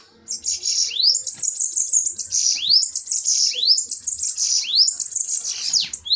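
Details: Bananaquits in a heated duel: steady high-pitched sizzling trills interrupted roughly every second by upward-sweeping slurs, continuous for about six seconds.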